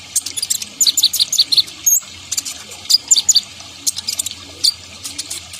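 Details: Sunbird known locally as kolibri ninja, singing vigorously: rapid, very high, thin twittering notes in quick bursts, with brief pauses between runs.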